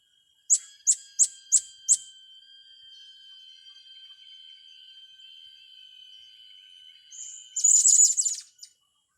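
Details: Blue-crowned hanging parrot, in a setting for training young birds: five sharp, very high chirps in quick succession, a long pause with a steady faint whine, then a dense burst of shrill twittering.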